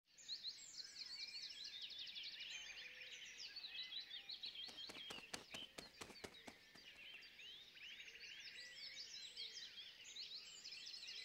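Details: A noisy group of jungle babblers with fledglings making their first flights in a Gurgaon, India backyard during lockdown: many harsh, squeaky chattering notes overlapping without pause, with a burst of sharp clicks midway.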